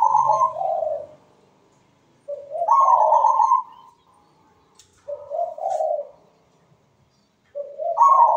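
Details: Melodious zebra dove cooing steadily, four phrases about every two and a half seconds, each pairing a brighter higher note with a lower bubbling coo, silent gaps between.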